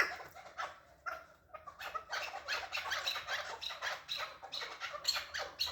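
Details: Chukar partridge calling: a rapid run of harsh, clucking chuk notes, repeated several times a second with short pauses, rising in intensity toward the end.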